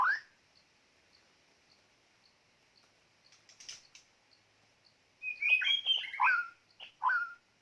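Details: White-rumped shama singing: a rising whistle at the start, quiet sparse ticks, then a rich burst of varied whistled and chirping phrases near the end.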